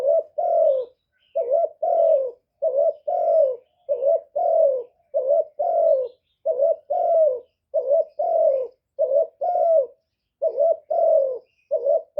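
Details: Caged lure spotted dove cooing to rouse other doves, no background noise: long steady series of paired coos, a short note and a longer falling note, roughly ten phrases with brief pauses.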